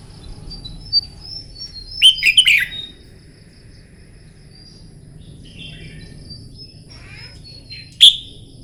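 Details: Morning contest-training song of a red-whiskered bulbul: one short burst of sharp, quick, chirpy whistles, then a long quiet gap and a single clipped note near the end.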